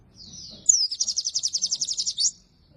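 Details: Oriental white-eye song for luring and training white-eyes that rarely sing: a soft high warble, then a sharp note leading into a fast, rhythmic trill of about fifteen high pulses lasting over a second.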